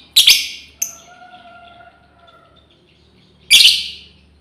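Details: Calling female lovebird summoning its companions, giving a sharp shrill screech, a brief thin squeak, a faint steady tone, then another piercing harsh cry.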